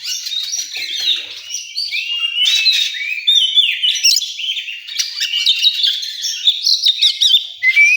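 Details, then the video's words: Competition-area recording of an oriental magpie-robin: continuous high, fluty whistles mixed with scratchy chatter and sharp chirps, phrases changing rapidly throughout. "Suara kacer di area lomba"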